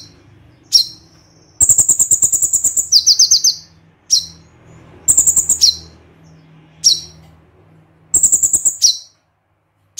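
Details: Konin, a crossbred white-eye, singing full tembakan: long shrill rattling trills, one fast warbled rattle, and repeated sharp downslurred chips about every second, over a faint low hum.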